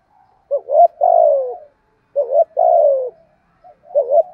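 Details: ['Spotted dove cooing in a field-type voice, used to stimulate other doves to call. Two phrases, each a brief doubled note followed by a longer, mellow, slowly falling coo, separated by a pause.']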